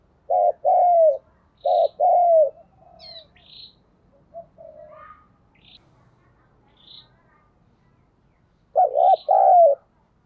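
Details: Captive spotted dove decoy giving urging calls to attract wild doves: short bursts of deep broken cooing with drawn-out notes, separated by a long gap holding faint high chirps and soft twitters.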